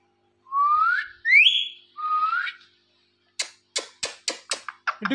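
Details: Indian ringneck parakeet, a dancing and talking pet, whistling three rising notes, followed by a run of about seven sharp clicking taps.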